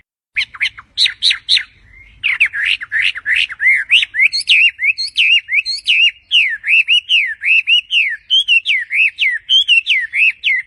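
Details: Tuneful bird delivering a long, nearly unbroken song of crisp whistled notes, opening with a few high clipped calls and then settling into a fast, rolling series of swooping, warbled syllables for about ten seconds.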